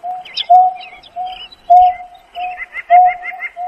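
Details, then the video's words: Greater Painted-snipe calling its flock with steady, mellow hooted notes about every second and a quarter, while other small birds twitter and chirp higher above. "Tiếng kêu của chim nhát hoa- Chim Nhát Hoa gọi bầy"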